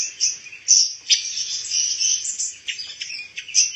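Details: Pancawarna bird, an increasingly rare insect-eating songbird used as song material for white-rumped shamas. Continuous high twittering with sharp chirps and squeaky notes flowing together without pause.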